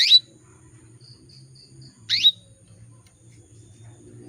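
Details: Female canary calling to draw males: two short, sharp chirps sweeping down then up, about two seconds apart, with faint repeated buzzy dashes between them and a low hum underneath.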